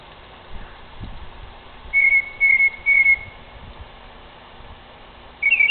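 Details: Northern mockingbird in a tree at night, making noises through the night: three clear, level whistled notes about half a second apart, then a short higher warbled note after a gap; soft low rumbles beneath.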